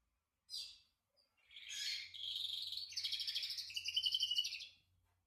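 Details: Canary singing a short high warbled phrase, a sharp note followed by a sustained rolling trill that ends in a clear whistled tone, with a faint low hum.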